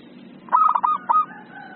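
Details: Agitated ('emosi') zebra dove singing: one quick phrase of rapid, stuttering low coos that run into a short, clear held note. A steady low background hum sits underneath.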